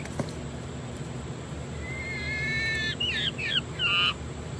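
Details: Hen Coturnix quail calling while laying her egg: a drawn-out, level, reedy tone followed by three short downward-sweeping notes in quick succession, with a soft click at the start and steady background hiss.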